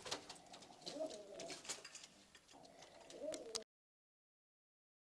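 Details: Istanbul pigeons, hazel- or red-eyed, give rolling, wavering coos twice, each about a second long, amid rustling and tapping indoors, then the sound cuts out.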